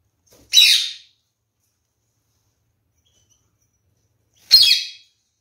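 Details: Kakariki parrot, one of a captive pair with a male, kept with fresh water; two short, harsh, rasping chattering calls about four seconds apart, with silence in between.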